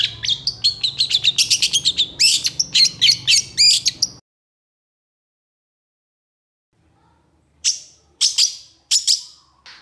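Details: An agitated Long-tailed shrike sings hard, giving a rapid stream of harsh, scratchy high chirps for about four seconds, then a long silence before three short bursts of rasping notes.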